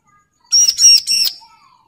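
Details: An agitated bar-winged prinia calls a rival with three quick, buzzy, rasping high notes in a tight burst, lasting under a second against a quiet background.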